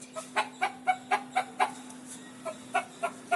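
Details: Scared pet rooster making quiet, clipped clucks at a steady quick pace, about four a second, with a short pause midway and a low steady hum behind.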